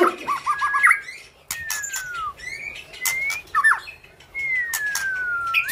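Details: White-rumped shama (murai batu) in active, prolific song: loud clear whistles, long smoothly descending and rising slides, quick bouncing looped notes and sharp clipped bursts, delivered in varied phrases separated by brief pauses.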